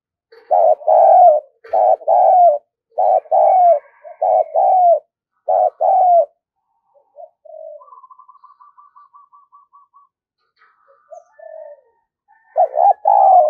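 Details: Spotted dove used as a decoy, cooing eagerly to lure other doves: repeated low, hollow two-part coos in quick phrases, then a short dry rattling series, then more coos.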